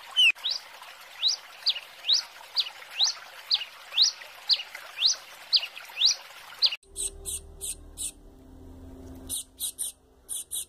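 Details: Chick call of a double-collared seedeater, meant to excite an adult bird: steady rising chirps about twice a second for seven seconds, then an abrupt switch to short harsh bursts over a low hum.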